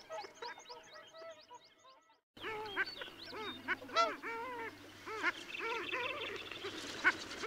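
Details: Long-tailed ducks at Liepāja, Latvia, in January 2024, calling together in nasal, rising-and-falling yodels that overlap, following a short run of faint, quick, evenly repeated notes.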